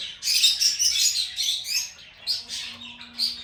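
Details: Lovebird chirping: a dense burst of high, squeaky twitters, then shorter separate chirps after a pause, over a faint low hum.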